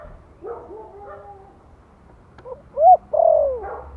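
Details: Spotted dove giving a Thổ-voice lure call to coax newly caught doves into calling. Some soft, drawn-out low notes, then a loud rising hoot followed by a long, swelling, downslurred coo at the end.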